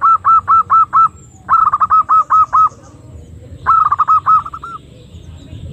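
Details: Female zebra dove calling, a recording used to lure birds: three bursts of four to six rapid, arched, hollow notes at an even mid pitch, separated by short pauses over a low background rumble.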